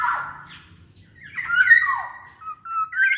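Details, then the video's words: Black-naped oriole singing, meant to encourage other orioles to join in: rich whistled slurs and scratchy, nasal tones in a continuous flowing phrase over a faint low background hum. "KEPODANG EMAS GACOR || SUARA BURUNG KEPODANG COCOK BUAT MASTERAN DAN PANCINGAN KEPODANG AGAR BUNYI"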